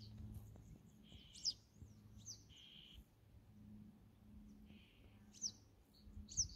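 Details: Singing male Black-headed Bunting giving brief, scattered high notes, some buzzy and some sharp and chirpy, every second or so over a low hum.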